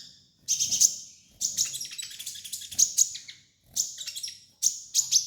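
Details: Kolibri ninja sunbird master song: loud bursts of high, sizzling chatter and sharp chips, each lasting about a second, with brief silent gaps between them.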